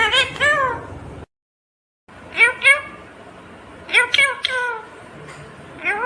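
An Indian ringneck parakeet talks in high, nasal, speech-like bursts of a few syllables each, with rising and falling tones and one short silent break.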